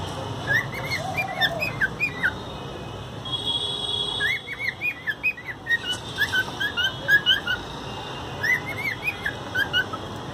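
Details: Pet cockatiels kept at home; bright whistled chirps in quick rising-falling groups, bursts repeated across the recording, with a brief steady tone and some rustling in between.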